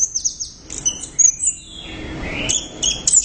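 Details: Orange-headed thrush in full loud gacor song: quick high twitters and sharp chips, a long rising whistle, then clipped high notes in quick succession.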